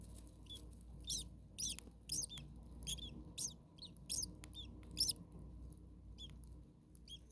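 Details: Common starling nestlings in a very hot attic nest, second day, with a parent close by: thin, high downslurred calls repeated about every half second, each with bright upper overtones, over a low steady hum.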